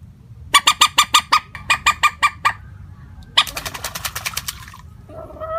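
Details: Common moorhen calling as a trapping lure, unvaried in tone: two quick runs of harsh clucks, then a denser, faster rattling run of softer notes, ending in a faint rising tone.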